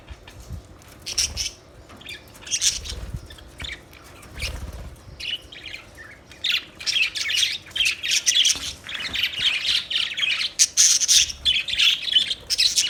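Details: Budgerigars chirping: sparse high chirps at first, building after six seconds into a steady, continuous warbling chatter of rapid, scratchy, high-pitched notes that fills the rest of the recording.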